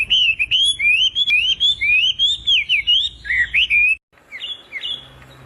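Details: Bulbul after its eggs have hatched, giving a fast run of sweet whistled notes, each curving up and down, about two per second for four seconds; after a short pause, a few higher, thinner notes follow.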